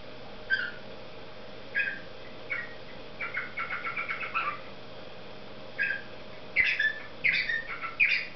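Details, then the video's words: Singing cockatiel parrot gives scattered single chirps, a short rapid run of clipped notes, then louder bright whistled phrases at the end against a constant faint hum. "Попугай Корелла песенки поет Parrot Sings"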